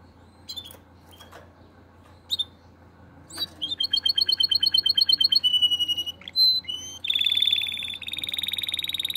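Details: Canary singing in heat and calling to the female: scattered sharp chips, then rapid rolls of repeated notes, a steady high trill and buzzy, fast-pulsed tours near the end.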